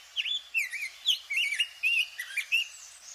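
Rose-breasted Grosbeak singing a rich, sweet warble of slurred, rising and falling whistled phrases, run together quickly like a tanager but clear rather than buzzy.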